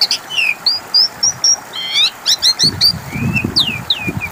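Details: Asian pied starling song played to lure other birds into answering: a series of short rising whistles, layered chirps and downward slurs, with low background rumble in the second half.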